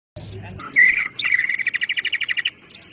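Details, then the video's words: Greater green leafbird song used as a tutor recording: a rich warbled phrase then a fast run of about fifteen evenly spaced chattering notes, crisp and metallic, ending abruptly. "SUARA MASTERAN CUCAK IJO GACOR%100"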